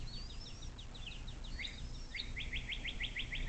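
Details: Bald eagle at its nest along the Little Miami River near South Lebanon, Ohio, USA, nest cam recording 06.04.2024 at 17:23: thin high chirps give way to a rapid, shrill series of repeated staccato notes, with a low background rumble.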